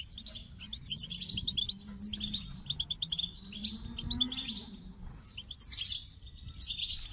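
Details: Goldfinch song of scratchy twitters and sharp high squeaks in short bursts, accompanied by a low droning hum that rises and falls in the background.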